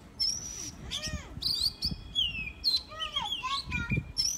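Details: Oriental magpie-robin kept as a decoy bird, giving loud, varied whistled song: clear rising and falling notes, slurred sweeps and short trills in rapid bursts, with faint low background rumble.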